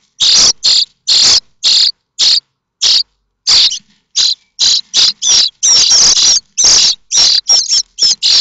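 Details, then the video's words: Nine-day-old common starling chicks, five in a nest at Théding during the 2024 season (7 May 2024), give harsh, hissing rasps in quick bursts, about two a second, scrambling when a parent brings food, and one chick is accidentally pushed out. "Les étourneaux sansonnets"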